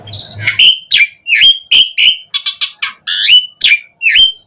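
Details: Asian pied starling song played as a lure for other starlings to answer: bold whistled notes that swoop down then up, interspersed with short harsh rasps and chattering bursts.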